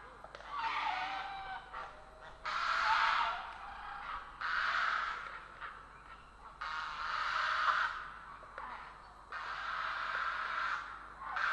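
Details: Grey heron in Estonia on 3 April 2017: long, harsh, rasping calls of about a second each, given in five drawn-out bouts separated by short quiet gaps, over a steady background hiss.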